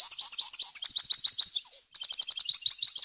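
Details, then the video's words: A European goldfinch gives a clean, varied wild-style song used to teach young birds. Rapid high twitters flow almost without a break, with a brief gliding note midway before more quick tinkling phrases. "غناء طائر الحسون ، صوت صافي وخالي من الاخطاء لتسميع الفراخ"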